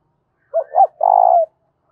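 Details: One loud phrase of a spotted dove's 'thúc bổi' fighting coo: two short, hooked notes followed by a long, steady, buzzy coo that drops at the end.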